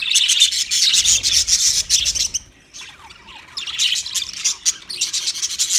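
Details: Budgerigars chattering: dense bursts of scratchy, buzzy chirps and squawks, broken by a short quiet gap midway before the busy warbling resumes.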